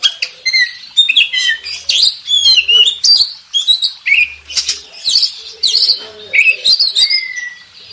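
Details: Oriental magpie-robin master song by a champion contest bird: busy stream of high whistles, chips and rasping notes, with a clear descending whistle near the end.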